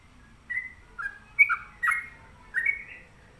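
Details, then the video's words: Sooty-headed bulbul at home giving five separated, liquid whistled phrases, each a short slurred note pair, spaced roughly half a second apart over a quiet background. "Pokoknya Cari Trucuk yang Gacor"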